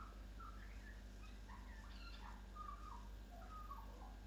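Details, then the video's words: A local Australian magpie in Chelsea, Victoria, Australia, sitting at a kitchen window and singing, gives quiet, quick chirps, clicks, whistles and warbles that rise and fall like R2-D2 robot beeps, over a steady low hum. "Australian Magpie makes sounds like “R2-D2”"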